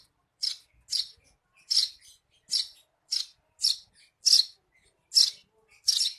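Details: Eurasian tree sparrow chirping, used as tutor audio before songbirds are hung out; about nine loud, buzzy chirps at uneven intervals across six seconds, the background otherwise silent.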